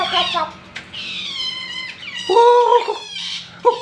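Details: A tame Papuan butcherbird in vigorous song gives a run of rich, nasal, harmonic phrases in a small indoor space: slurred downward whistles, then two louder warbled notes.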